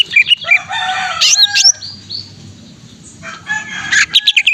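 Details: Greater green leafbird (cucak ijo) in full jamtrok-style song: high whistled notes and slurred sweeps, then a long harsh, harmonic squawking phrase, with a quieter pause before more sharp whistles.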